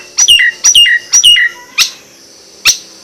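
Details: Nias hill myna giving three loud two-part whistles, a high note dropping into a lower drawn-out tone, roughly every half second, followed by two sharp clicks.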